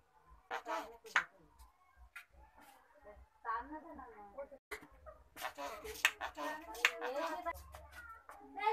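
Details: Common myna mimicking human speech like a person: short harsh chattering phrases and syllable bursts with pauses, indoors, with handling noises and a human voice nearby.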